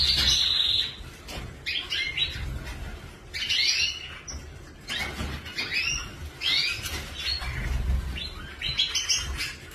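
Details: Caged canary singing: a series of bright, chirpy, sweeping phrases with rising and falling notes, delivered in bursts about every second or two, over a low background rumble.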